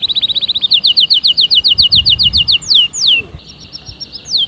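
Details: Singing canary: a quick run of high chip notes, then a row of about fifteen evenly spaced sharp notes, two long falling whistles, and a softer closing phrase.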